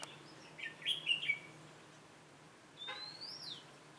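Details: Red-whiskered bulbul decoy during a trapping session on 27 October 2017: a short burst of chirpy, twittering notes, then a thin whistle that climbs and falls, against a quiet, hissy background.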